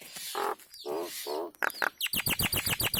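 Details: Caged-bird training song of a Nias hill myna: three nasal, buzzy harmonic notes, then a pair of clear whistles and a rapid series of sharp high chips repeated several times a second.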